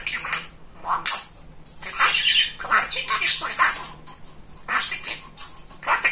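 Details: Pet male budgerigar, described as very talkative and funny, chattering in rapid speech-like bursts of scratchy mimicked words and warbles, with short pauses between phrases.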